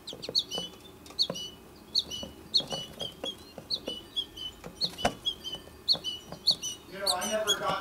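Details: American goldfinch mother that has come to feed one of two chicks left in the nesting tree, perhaps urging them to leave the nest; short high chips repeated roughly every half second, with a burst of louder mixed sound at the end.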